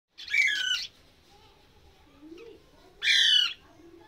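A budgerigar gives two harsh, buzzy squawks about two and a half seconds apart.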